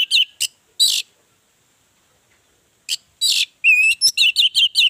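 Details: Orange-headed thrush song used as a lure to get other birds singing: bursts of bright whistled and chattering notes, a pause of nearly two seconds, then a rising whistle followed by rapid repeated warbled phrases.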